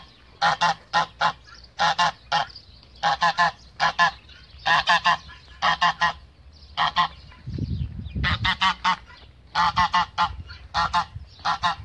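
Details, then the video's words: Male goose defending its female, giving loud nasal honks in quick bursts of two to four notes, bursts recurring about every second, with a brief low rumbling noise near the middle. "ذكر الاوز يدافع عن أنثاه Male goose defends its female"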